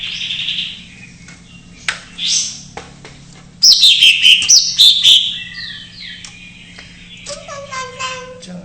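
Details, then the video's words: Greater green leafbird giving an isian song with jamtrok elements, used to set off reluctant birds. Scattered soft whistles lead into a loud run of bright falling notes mixed with clicks, then lower warbled phrases. A faint low hum is present. "JAMTROK MANIA : cucak ijo isian"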